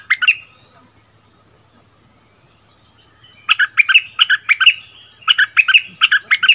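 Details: Song contest between a bulbul brought back to its old ground and the resident bird, recorded in February 2021. Short whistled phrases open, a pause follows, then two bright bursts of repeated, bubbly notes.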